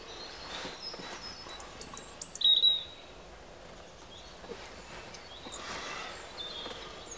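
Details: Great spotted woodpecker (Dendrocopos major) filmed close up gives a few sharp, high, clipped notes in quick succession near the middle, over steady outdoor hiss.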